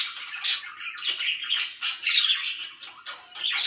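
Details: Pet budgerigars, said to be very happy, give rapid scratchy squawks and chirps in short pulses separated by brief dips.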